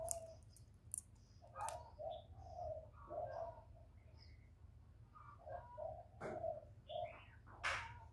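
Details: Loud spotted dove, cu gáy, heard in a recording meant to spur kept doves to call. Soft low coos come in two short phrases, broken by sharp clicks and taps.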